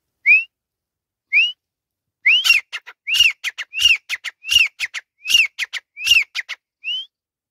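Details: A male grey francolin gives two lone rising whistles, then a loud run of sharp, upslurred whistled notes about every two-thirds of a second, with dry clicking knocks between.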